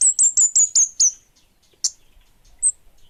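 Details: Orange-headed thrush, bunga api form, singing keenly: a rapid string of six shrill, downward-flicking whistles about five per second, followed by a lone sharp chip and a thin high note in near silence.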